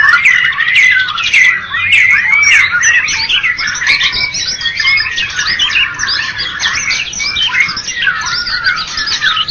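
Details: First-place white-rumped shama, Medan and Java types, singing at a bird contest: rapid, jumbled cascade of rising and falling whistles and clipped chips, very busy and unbroken, about a hundred notes a minute.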